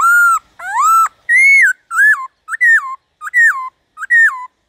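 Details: Black-throated laughingthrush singing, used to prompt other laughingthrushes to sing. Loud, clear whistled notes in seven phrases over under five seconds. The first two slide upward; the later ones rise, then drop, about every half second. No other sounds.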